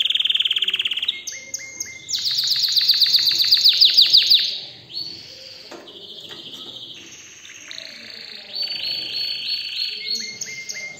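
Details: An excited canary (Serinus canaria) sings a continuous, high, varied song: a steady whistled note, then fast rattling trills and rolling tours of repeated notes, with no other sounds.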